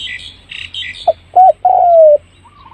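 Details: Spotted dove lure call meant to bring birds in fast: a short clipped coo, then a medium one and a long, slowly falling coo, following a few high chirps from another bird.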